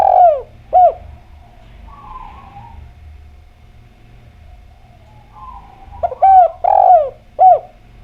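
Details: Javan derkuku, a spotted dove, sings clearly as a lure to get other doves calling. A long falling coo and a short note open, followed by a quiet stretch with soft warbling, then a new phrase with a stuttered pickup, a long rolling coo and a clipped final note.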